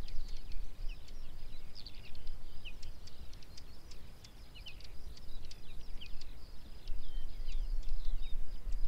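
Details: Whinchats hunting in the Lubliniec Forests, Poland, give short, high ticking and chipping notes, scattered irregularly and often overlapping, over a steady low rumble of wind.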